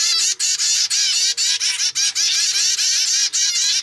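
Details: Captive-bred zebra finch chick, normal grey young of pied parents, begging for food with an unusual new style. Rapid, almost unbroken run of raspy, wavering, buzzy notes, about a dozen bursts. A soft low tone lies faintly underneath.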